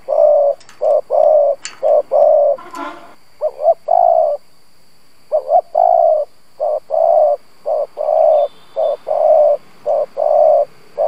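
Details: Spotted dove decoy for wild doves keeps up gù coos: paired short and long low notes in a steady stream, a brief rustling knock early on, a short pause, then the pattern resumes.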